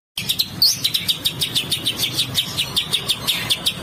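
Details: Bird song used as a master recording for training contest birds, with harsh rough besetan notes: sharp high chirps repeated about four to five times per second in a steady, even series, with a faint low rumble underneath.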